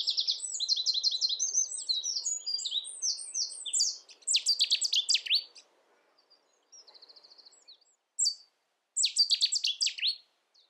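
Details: Cetti's warbler song from the UK, explosive runs of quick repeated piercing notes, a long opening phrase, then short emphatic bursts after pauses; no other clear sounds.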